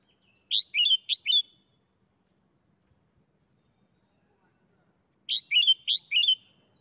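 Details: Caged red-whiskered bulbul showing off the 'berl' doubled song style: two bright bursts of warbled, whistled notes about five seconds apart, each of four to five quick rising-and-falling syllables, over a quiet background.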